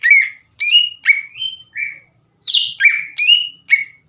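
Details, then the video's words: Greater green leafbird song as a lure to rouse rival leafbirds: loud, clean whistled notes slurring downward, spaced roughly every half second with a short gap mid-phrase. "PANCINGAN CUCAK IJO GACOR CEPAT MENAIKAN EMOSI CUCAK IJO LAIN"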